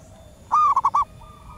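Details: Local wild female zebra dove calling to males, used to lure wild birds: a quick burst of four soft, clipped cooing notes at mid pitch, the first slightly longer, over a quiet hum.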